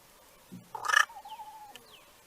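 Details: An American crow making a strange sound its observers had never heard before: a soft low knock, then a harsh, cracked burst trailing into a thin, steady whine before fading.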